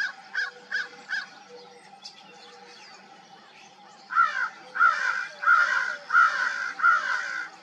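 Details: Crows calling at dawn: a distant series of three caws, then a louder close run of harsh, nasal caws repeated roughly every 0.7 seconds, with faint background birdsong.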